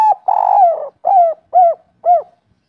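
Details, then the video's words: Spotted dove singing local kuk 3 style: a long, rich, wavering coo followed by three crisp, evenly spaced, downward-curving hoots in quiet surroundings. "Derkuku kuk 3 lokal gacor ngamuk bikin ribut suara empuk langka"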